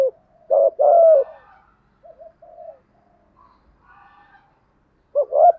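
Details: Spotted dove cooing in the 'gù thúc' decoy style used to provoke other doves: one loud double-noted phrase with a long coo, then faint softer coos and a phrase beginning at the end.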